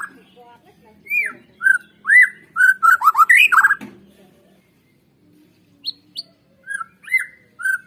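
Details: White-rumped shama song used to draw birds into singing: looping whistles lead into a rapid descending cascade, then after a short pause come sparse high whistled notes and sweeps.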